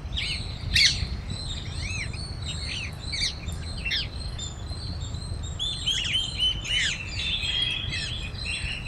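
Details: A flock of parrots feeding on grains at Cubbon Park, Bangalore, Karnataka, calling loudly with many overlapping high, shrill chirps and screeches over steady low background noise.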